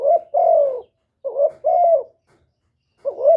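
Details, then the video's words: Mellow spotted dove coos, calling and urging, heard as close, loud pairs of a brief rising note and a longer drooping coo, three phrases in a few seconds. "Cu Gáy GỌI + THÚC + Gù"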